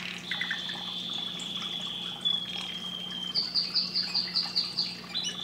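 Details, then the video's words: Canary singing, with long sustained whistled notes, then a fast series of repeated trilled notes near the end; faint background trickle and a steady low hum throughout. "canário cantando muito"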